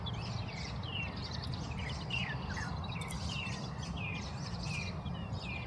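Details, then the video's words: Oriental greenfinch giving quick twittering chirps, many as short rising or falling slurs, in an irregular string throughout, partly masked by strong low rumbling background noise outdoors. "金翅雀 Oriental Greenfinch"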